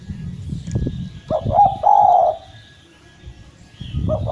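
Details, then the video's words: Derkuku jawa collared dove singing steadily: one soft hooting coo phrase, a brief lead-in note then a drawn-out steady coo, with the start of the next phrase at the end, above low-pitched background rumble and knocking. "Derkuku jawa gacor mampu mengatasi derkuku macet bunyi menjadi gacor kembali dan rajin bunyi"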